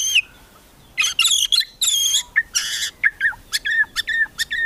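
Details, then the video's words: White-rumped shama in kretekan style, aimed at provoking rival birds: loud rasping, broadband crackling bursts give way to a series of clipped whistled notes repeated about every quarter second. "KRETEKAN MURAI BATU MEMANCING EMOSI, BIKIN LAWAN CEPAT GACOR EMOSI"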